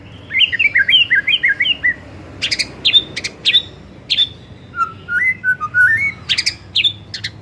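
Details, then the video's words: White-rumped shama song recorded for the afternoon, used to stir shamas into song: a rapid run of bouncing whistled notes, sharp high chips, then a rising series of clear whistles. "Pancingan SORE HARI efektif jadikan MURAI jadi LEBIH GACOR dan NGEPLONG"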